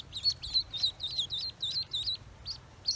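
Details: Freshly hatched Pekin ducklings peep loudly on a farm: shrill, high, slightly warbled notes repeated about three times a second, each a quick rise and fall, with a quiet background.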